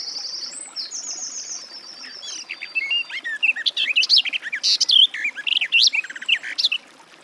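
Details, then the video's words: Garden warbler (Sylvia borin): a thin, high trilled whistle from another bird opens, then the warbler's rich, rapid warble of varied notes runs for about four seconds. "Warbler garden, birdsong"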